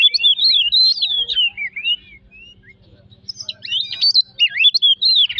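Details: Oriental magpie-robin singing as a lure to provoke other birds: lively whistled phrases wavering up and down, a short quiet gap, then another burst of quick, varied whistles.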